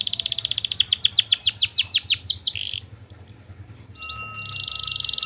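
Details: Canary song meant to prompt other canaries to answer: a long run of rapid descending chirps slowing toward the end, a buzzy note, brief whistles, then a steady high buzzy trill.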